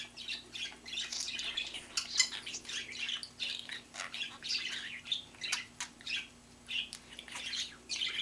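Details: A pet budgerigar with a large talking vocabulary chatters nonstop in a rapid, scratchy warble of high squeaks and clicks, with quick bursts every half second over a faint indoor hum.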